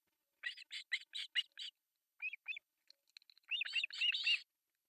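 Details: Three osprey chicks begging at breakfast feeding on an artificial nest in Pohjois Satakunta, Finland, July 1, 2024: rapid runs of sharp, high chirps, about four per second, then a short pause and a denser, overlapping burst.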